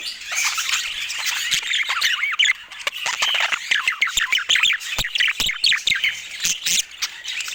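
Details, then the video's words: Budgerigar warbling: quick runs of curved, up-and-down squeaky notes and chattering chirps, punctuated by sharp clicks, in a continuous lively flow. "Dieser Sound macht Wellensittich Vogel verrückt"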